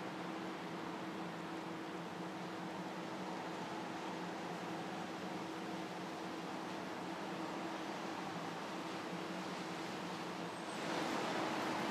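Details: Only a steady, fan-like broadband hum with a faint low drone is heard, growing slightly louder near the end, and no animal sounds.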